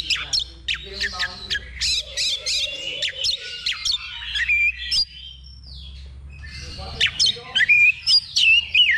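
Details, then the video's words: Oriental magpie-robin singing during a simulated level-two competition for practice: sharp clicking notes repeated about three times a second, mixed with rich whistled swoops and harsh squawks, over a low steady hum. "Simulasi Lomba Kacer Level 2 Tuk Latihan Sebelum Tanding"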